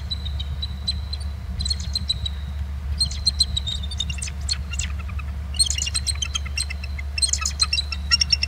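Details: Two eagles trilling from BST on March 8, 2018 at 10:51, then both flying off over the camera and sounding very close: bursts of high, rapid chittering notes in several runs, over a steady low hum.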